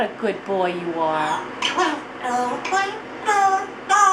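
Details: An 8-month-old male double yellow-headed amazon, just spritz-bathed in the shower, sings and talks in a human-like voice, alternating song lines with his owner, in short wavering phrases that follow each other quickly, echoing as in a small room.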